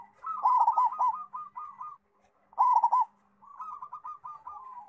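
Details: Loud local zebra dove suited as a song tutor: a mellow rolling cooing phrase of tumbling notes, then a pause, a shorter repeat, and a softer trailing run of coos.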